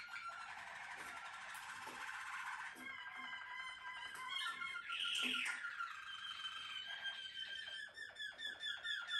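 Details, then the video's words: Song of a Malinois Waterslager canary from a breeding line: continuous rolling, gurgling tours with steady held tones, a brief louder higher flourish midway, then faster repeated clipped notes closing the phrase. "Malinois waterslager"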